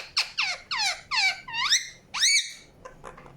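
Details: Indian ringneck parakeet chirping in a steady series: six harsh, harmonic notes roughly every quarter to half second, each sweeping up and then down, the last ones rising strongly before fading.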